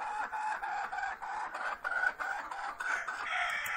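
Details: Egg-laying song of a hen before she lays: a continuous string of rough, nasal clucks, about four a second, with a louder drawn-out squawk near the middle and a brief mechanical whir at the end.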